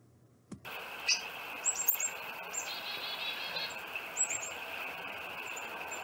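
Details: A Carolina chickadee in a small patch of New Jersey woods gives its chick-a-dee call: thin, high chips, then a run of buzzy, lower dee notes, over a steady insect hum and light outdoor noise.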